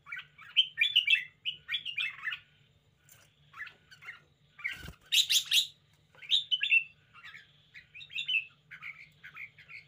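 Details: Caged red-whiskered bulbul singing exuberantly, with rapid chattery and fluty phrases in bursts, one sharp click-like crash midway, and a low steady hum throughout.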